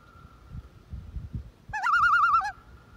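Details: A common loon on open water in Minnesota gives a brief, rapidly quavering tremolo, a wavering laugh-like note under a second long, after low rumbling wind or water noise.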